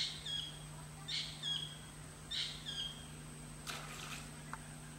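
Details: A foraging sand plover gives short, high chirping notes in loose pairs about once a second, over a steady electrical hum with a brief rustle near the end.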